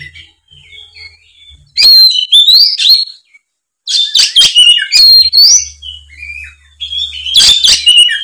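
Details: Oriental magpie-robin singing its fighting song, used to provoke quiet magpie-robins into full song. Soft whistled phrases give way to loud bursts of varied song. The bursts mix ringing, upslurred whistles with raspy, chattering notes, over a faint low hum.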